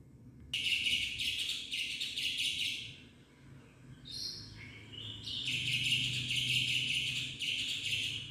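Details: Black-winged myna (jalak putih), a protected bird, singing a full varied song: loud, bright buzzy phrases in repeated bursts with a brief pause and a short rising whistle midway; low background hum throughout.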